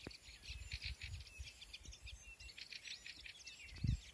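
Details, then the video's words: Spring birdsong in a garden at sunset: a soft chorus of high, thin chirps and twitters from several birds, with low thumps and background noise underneath. "Весеннее пение птиц в саду на закате"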